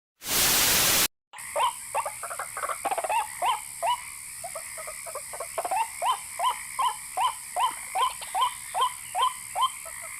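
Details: White-breasted waterhen lure meant to attract males and females: after a short burst of static, a steady series of short hoarse notes repeated about two to three times per second over a faint background hiss.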